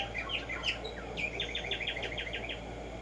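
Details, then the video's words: Black-striped sparrow, known as Tumba Yegua, in nature: a few sharp chirps and slurred whistles, then a rapid string of about nine repeated chevron-shaped notes, with faint background noise. "HACER TRINAR a Tumba Yegua"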